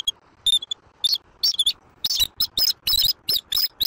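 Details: Bald eagles at their nest in Southwest Florida, recorded by a live nest camera on the morning of 24 October 2024: rapid high, thin piping chips in quick bursts and stuttering runs, with a quiet background.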